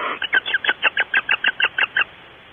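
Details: Pre-dawn barn owls at Starr Ranch, nest recorded 5:45 am on 8/5/13: a quick, even string of about twelve short, scratchy chirping notes, several per second, stopping abruptly after two seconds.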